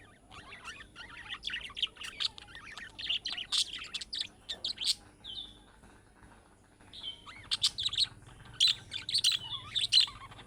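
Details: Budgerigar chick-style calling notes, used to prompt other budgerigars to answer: dense bursts of bright, scratchy chirps and warbles, a quieter pause broken by a short whistle, then more rapid chattering.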